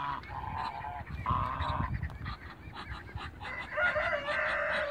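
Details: Loud, drawn-out nasal honks from waterbirds, two males and one female, as they meet. The honks come in long bursts with rough breaks between them.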